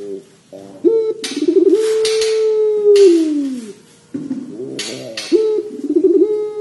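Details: Barbary dove, active and vocal, in the long cengkok panjang style: a drawn-out, level, trilled coo of about two seconds that curves downward at its close. After a pause a second coo begins, with rough noisy bursts around the phrases.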